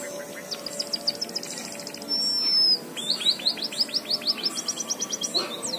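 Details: White-headed munia singing a canary-style song it has learned: fast series of short, sharp, high chirps repeated in quick bursts, with a brief pure whistled note in the middle and a faint low hum behind.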